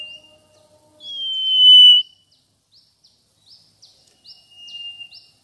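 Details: Mangrove whistler (Pachycephala cinerea) giving one long, loud, pure whistle lasting about a second, followed by softer short sliding notes and a fainter second level whistle near the end, in an otherwise quiet setting.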